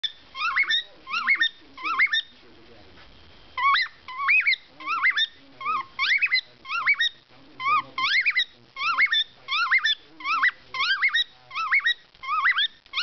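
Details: A pet male cockatiel whistles a lively song of rising, looping notes in quick bursts while being stroked, with a second cockatiel coming in to peck; recorded 13 June 2012.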